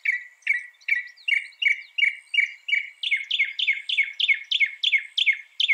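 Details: Northern mockingbird, known for copying 200 sounds, giving a long run of quick, slurred chirps, about three per second. Partway through, the notes switch to a brighter, buzzier phrase that keeps the same rhythm.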